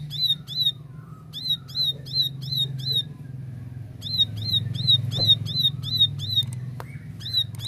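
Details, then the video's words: High, repeated chirping from a plain prinia (ciblek sawah) in two bursts of rapid, identical notes with a pause between, over a fairly strong low humming background. "Tembakan Gacor Jernih Ciblek sawah"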